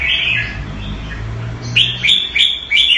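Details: A caged red-whiskered bulbul, kept Thai style in Singapore, gives a drawn-out warbled whistle, then a rapid series of three sharp chirped notes, with low background rumble.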